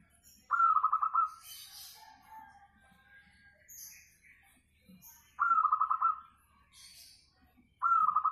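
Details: Local zebra dove with a melodious voice, used as a lure for singing: three rolling trills of rapid pulsed coos, each under a second, repeated about every three to five seconds in quiet surroundings with faint chirps.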